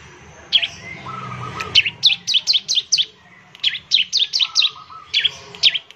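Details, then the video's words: Bar-winged prinia singing to stimulate other prinias: clusters of quick, high, piercing chips separated by gaps, with a lower, flat trilled note heard twice in the background. "ciblek semi gacor, memancing ciblek semi cepat bunyi"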